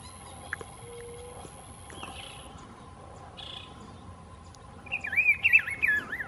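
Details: Rufous-browed Peppershrike at Las Macanas Marsh: after a quiet stretch with faint distant notes, one loud rich warbled phrase of quickly rising and falling whistles fills the last second and a half.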